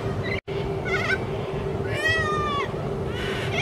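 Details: Corellas playing by swinging from wires on a busy road verge; a few nasal, wavering squawks with stacked harmonics, the loudest a drawn, slightly falling cry at two seconds, over steady traffic-like hum.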